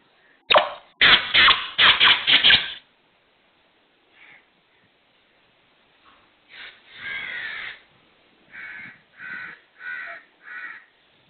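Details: Black francolin (kala teetar) calling: a loud burst of about six harsh, grating, rapidly repeated notes, then quieter scattered notes and a later series of four softer rasping notes after a pause.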